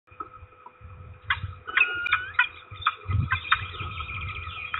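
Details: Peregrine falcons at a nest with eggs, as the female arrives and the male is kept from settling on the eggs, give harsh, nasal calls in quick irregular bursts, some notes drawn out and wailing, over a low rumble and a steady faint hum.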